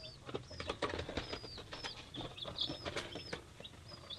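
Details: Three-day-old chicks of several breeds peep in high, drawn-out slurred notes among dense clicking, pattering and shuffling from the group moving about.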